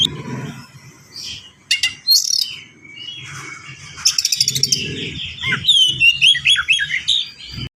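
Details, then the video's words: Oriental magpie-robin kept as a songbird delivering a fast packed song: scattered whistles, a sharp stuttering rattle, then a run of rising and falling sweet slurred notes. "KACER GACOR SPEED RAPAT FULL ISIAN"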